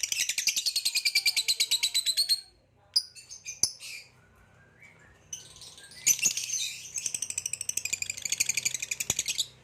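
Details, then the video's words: Caged green hybrid male and Lilianae Nyasa lovebirds singing: long fast pulsed chattering in high buzzy notes, broken by a short quiet gap with clicks, then resuming just as rapidly. "Green Hybrid and Lilianae Nyasa Lovebird Singing & Chirping Sounds"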